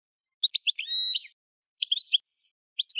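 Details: European goldfinch song in short bursts: quick high twittering chirps and a brief sustained tinkling note, phrases separated by pauses of about a second, in an otherwise silent setting.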